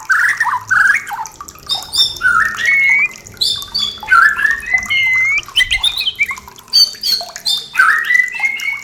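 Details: White-rumped shama song played as a lure to bring caged birds into breeding condition and mating, used as night-time therapy: a continuous, varied stream of loud clear whistles, rising slurred notes and harsh chattering phrases with hardly any pause.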